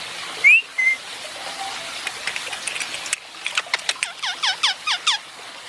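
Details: Pet Indian ringneck parakeet while basking: an opening upward whistle and flat follow-up note, then a run of clicks and fast falling chattering notes repeated about twice a second.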